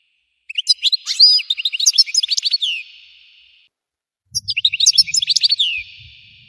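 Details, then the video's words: European goldfinch singing its intense 'explosion' song: two fast, bright phrases of twittering chirps and buzzy slurs, the first longer, with faint low rumbling during the second. "تغريد الحسون المدمر صوت تفجير طائر الحسون"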